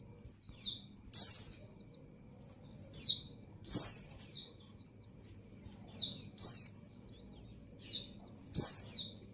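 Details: A breeding-condition female white-eye calls the male with high, sharp chirps that slide downward, grouped in short twittering bursts every one to two seconds, with a faint hum beneath.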